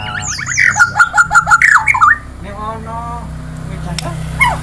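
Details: Murai songbird repeating a clipped whistled note about six times in quick rhythm, ending in a rising flourish, followed by quieter lower tones and a last brief call.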